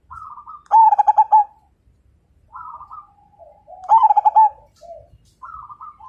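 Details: Vigorous fighter zebra dove of the Majapahit line, whose song prompts other birds to join in; two full phrases of soft lead-in notes and rapid rolling coos, with a third phrase starting, against near silence.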